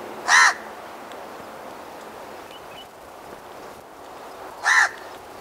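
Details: Two short, harsh caws of a House crow, spaced about four seconds apart, with soft background noise between them.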